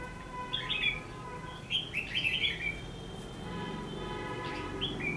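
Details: Red-whiskered bulbul singing a fighting song as a trapping lure, 14 December 2015; bright chattering warbles in two bursts, over a steady faint hum of tones.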